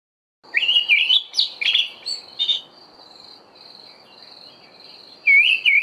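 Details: Olive Thrush singing in the dawn chorus in early autumn: rich, warbling whistled phrases that rise and fall, separated by pauses, over a steady high insect hum.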